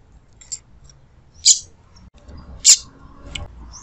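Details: A female rusty-collared seedeater gives calls meant to excite the male. Two loud, shrill, clipped chips come about 1.2 seconds apart, with weaker high peeps before and after.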